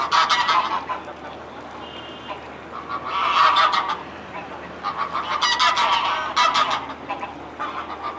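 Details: Mute swans on the Elbe river in Dresden, afternoon of 17 May 2017; loud clustered honking and snorting notes rise in three or four bursts a few seconds apart, with rough broadband texture between them.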